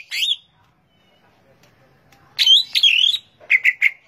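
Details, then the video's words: Greater green leafbird (cucak ijo) giving short separated phrases: a sharp chirp, a pause, then a slurred, buzzy warble followed by three quick clipped notes. "bird leaf green action cucak ijo"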